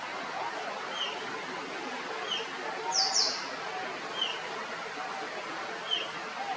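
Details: Rusty-tailed flycatcher calling in Kerala, India: short thin notes repeated about every 1 to 1.5 seconds, with one brighter, higher descending burst near the middle, over a steady hiss of background noise.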